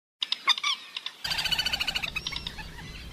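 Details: A common moorhen, recorded as a call for hunting, gives a few sharp, clucking notes, then a fast stuttering run of high, repeated chattering calls over a low background hum.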